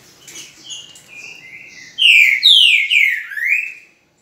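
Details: Green-winged saltator song recorded on 10 November in the morning: quiet, thin whistled notes build into a loud run of four rich downslurred whistles, the last dropping lower before the phrase stops abruptly.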